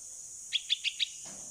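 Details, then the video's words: Sixteen-day-old bulbul fledgling (Pulangga), rescued from a cat and hand-raised, calling its mother while practising to fly in the open: four quick, sharp chirps in half a second over a constant high hiss. "Baby Bulbul Bird (Pulangga) Calling Mom While Practicing To Fly in the Open"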